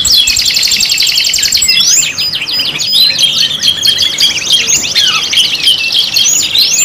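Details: Canary song on a five-in-one kenari lure compilation: steady high buzzing rolls interleaved with fast chip series and slurred whistles, dense and continuous.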